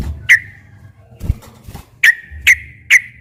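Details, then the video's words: Sooty-headed bulbul, singing to lure captive bulbuls into answering. A few sharp, separate whistled notes ring out with short gaps between them, among low rumbling and a brief knock. "kicau suara burung trucukan gacor ropel panjang ini cocok buat pancingan trucuk yg bahan agar bunyi"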